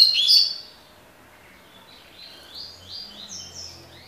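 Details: Double-collared seedeater in tui tui song style: a short loud high chirp opens, followed after a pause by a quieter run of repeated high, slightly descending notes.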